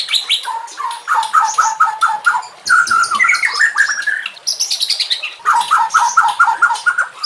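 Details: White-rumped shama song used as a master recording for training other shamas. Loud rich notes are repeated rapidly in runs of about six, broken by rising sweeping whistles and high, thin, buzzy trills.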